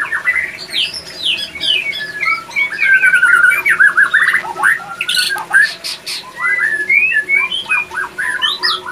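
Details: Male white-rumped shama in breeding condition, captive-bred, singing loud varied phrases of rich whistles, rising and falling slurs and rapid trills, with a steady background hum.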